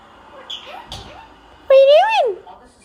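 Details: Talkative Indian ringneck parakeet indoors: two faint squeaky notes, then a loud drawn-out harmonic vocal phrase that swells and falls at the end, speech-like in tone.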